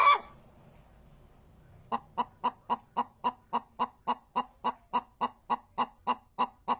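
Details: Hens clucking in a fast, steady run of short, evenly spaced clucks, about three or four each second for some five seconds, after a brief burst of sound at the start and a quiet pause.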